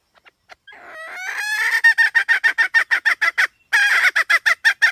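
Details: Hen calling: a long rising, harmonic-rich note swells in loudness, then breaks into a fast series of short, evenly spaced clucking notes, roughly three per second, with a brief pause before the run resumes.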